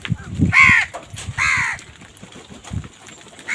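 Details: Crows fighting over food: two loud, harsh, nasal caws in quick succession, each a rough harmonic burst, followed by a quieter third caw at the end, with low thumping and rustling beneath.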